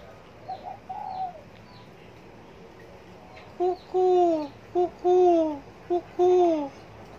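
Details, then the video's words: A Spotted Dove gives three low, mellow cooing phrases about a second apart, each a short note then a longer, gently falling one; a fainter call sounds earlier. "Cu gáy gù theo ý muốn"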